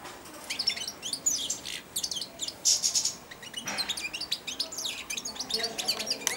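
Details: Caged four-month-old young European goldfinch, hand-tame and perched at or on the hand that feeds it daily, practising early subsong: a dense, rapid stream of high, thin twittering chirps and short buzzy notes, nearly continuous with brief pauses.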